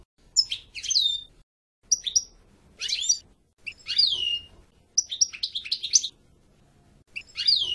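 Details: European goldfinch singing in short separate bursts: high downslurred notes and quick twittering chirps, with brief silences between phrases.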